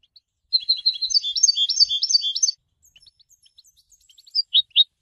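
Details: Goldfinch song, given to announce presence and attract females: two seconds of loud, rapid, jangling twitter, followed by scattered soft high notes and three clear separate chirps at the end.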